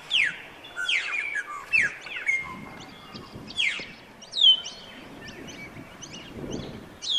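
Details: Australasian figbirds at Sherwood Arboretum give sharp, high, downslurred chirps and squeaky notes in irregular bursts, several birds overlapping, over a faint rural background hum.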